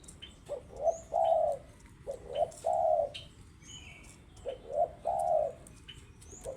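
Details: Spotted dove, called tekukur locally, singing actively: soft low cooing phrases, each a few short coos leading into a longer rolling croo, repeated roughly every two seconds, with faint high chirps of small birds in the background.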